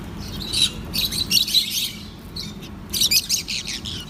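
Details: Chirping from lovebirds eating soft food: quick bursts of piercing high chirps, a short pause, then another rapid run of shrill notes, over faint low hum.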